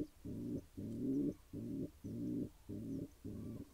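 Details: A new pigeon pair at the nest, watched for possible eggs, gives low, rich cooing phrases, six pulsing bursts of about half a second each, separated by short silences in a quiet indoor space.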